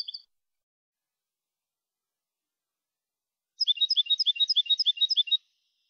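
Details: Clean 'copia' song of a European goldfinch recorded in Málaga, April 2020, as contest training material: after a brief note and a long quiet stretch, an evenly paced trill of high paired notes runs for almost two seconds.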